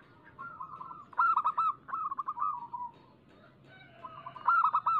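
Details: Singing local zebra dove, its voice meant as a lure to set doves singing quickly: soft cooing lead-in, then loud rolling trilled coos and a falling drawn-out phrase, repeated after a pause.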